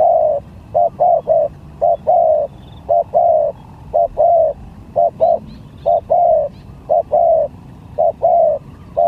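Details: Lure spotted dove competing in song, from sigagap to jergot style: loud, hollow coos in rhythmic pairs and triplets, short notes leading into longer ones, repeating steadily for nine seconds.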